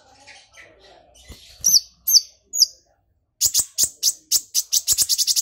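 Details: Brown-throated sunbird in excited song with golden grasshopper mimicry: three sharp, high, downslurred chips, then a fast series of dry, ticking clicks that speeds up into a rapid, insect-like rattle.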